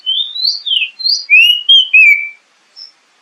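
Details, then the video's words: Oriental magpie-robin (kacer) song used as a lure to prompt settled and young speckled birds to sing and build confidence: a quick run of about seven clear, slurred whistles, rising and falling, over two seconds, then one brief high note. "SUARA PANCINGAN BURUNG KACER AGAR CEPAT BUNYI DAN GACOR"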